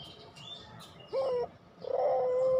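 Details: Puter pelung dove cooing, a lure recording meant to set silent doves singing: one short steady coo, a pause, then a long coo building and holding, with soft chirping behind.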